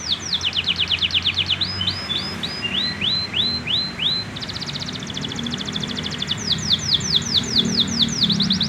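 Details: Immature male canary learning its song, cycling through tours: a rapid series of downslurred chirps, slower rising notes, a fast buzzy trill, then more repeated downslurred whistles. Low background hum throughout.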